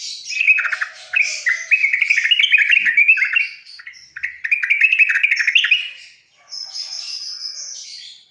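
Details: Masteran of the trucukan (sooty-headed bulbul) for young birds: two chattering warbled bursts of rapid notes, then a higher thin hissing sound at the end.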